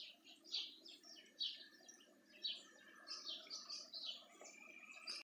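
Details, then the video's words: Singing birds in Itatiaia, Rio de Janeiro, Brazil, during February 2020: short bright chirping phrases repeated roughly every second, with a steady high note running through the background and a low murmur beneath. "Birds singing in Itatiaia"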